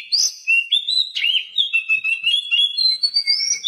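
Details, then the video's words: Oriental magpie-robin singing continuously, a recording meant to prompt silent caged birds into song: a rich, unbroken stream of varied whistled notes, sliding up and down, with a long rising whistle near the end. "Masteran Kacer Bisu"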